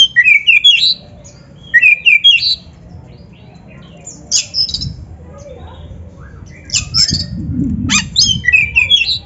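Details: Oriental magpie-robin (kacer) song played as a master recording to train other magpie-robins to sing: loud, varied whistled phrases with quick rising and falling slurs, given in bursts with pauses, over a steady low rumbling background.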